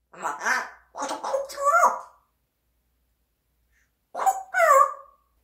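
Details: A pet parrot talks in raspy, voice-like phrases, apparently learned mimicry: two quick bursts over two seconds, a pause, then a final squawking phrase that rises and falls.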